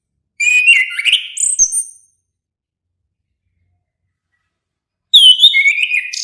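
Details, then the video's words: Two song phrases from an orange-headed thrush, several seconds apart; the first warbles and ends in a thin high whistle, the second opens with a downward-sliding whistle. "suara merdu burung anis kembang"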